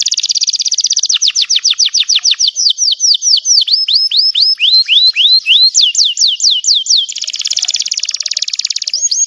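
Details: Canary in full, loud song: rapid high trills and rolling runs of repeated down-slurred whistled notes, each note slower and more sweeping midway, then a dense buzzy trill and a final rising whistled phrase.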